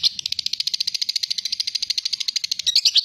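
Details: Lovebird giving a long, clear chattering song used as a lure to prompt other lovebirds: rapid high notes repeated about ten times a second, steady and even, ending in slightly louder varied notes.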